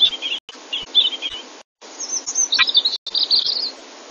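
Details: Munia song with robin song mimicry, made as a training recording for cage birds: high, sharp chirps and twittering phrases with quick downward-swooping notes, broken by short silent gaps.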